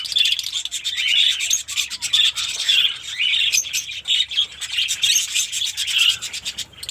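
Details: Mini colony of caged Fischer's lovebirds in Pakistan chatters continuously: a dense, high, scratchy twittering of many overlapping shrill notes with no pauses.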